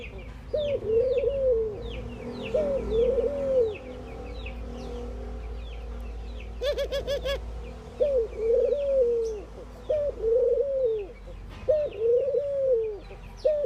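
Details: Ring-necked doves calling in the morning in India: a steady run of paired, arching low coos, one brief sharp burst of noise near the middle, and constant twittering of small birds in the background.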